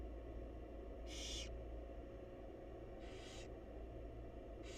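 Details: Wild barn owl nest box during a feeding by the mother: three fainter, brief hissing bursts roughly two seconds apart, largely submerged in a strong low hum.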